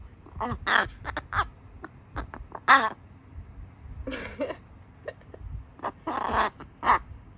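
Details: Hand-raised juvenile carrion crow during its voice change, chatting with the person caring for it; many short, raspy caws and clicks scattered throughout, some loud and harsh, others clipped and quiet, with brief human murmurs.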